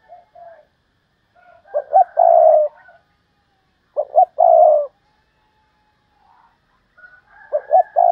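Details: Spotted dove kept as a decoy bird, praised as a fine singer: low, soft cooing phrases, each a quick pair of short notes followed by a longer drawn-out coo, repeated three times with quiet gaps, no other sounds.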